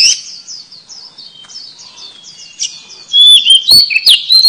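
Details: Oriental magpie-robin song used as a lure for trapping: a soft series of rapid high chirps, then louder whistled, warbling phrases in the final second and a half.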